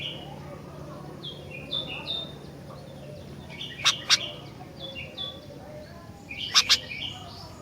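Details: Sooty-headed bulbul singing: a run of short, high whistled notes that step up and down, then two paired sharp, clicking chips, repeated once more near the end over a low steady hum.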